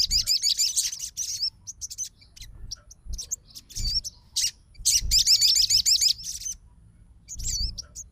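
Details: Sogon fighter responding to a rival sogon's song with quick bursts of high, curling whistled notes, a dense run mid-clip and isolated chirps between.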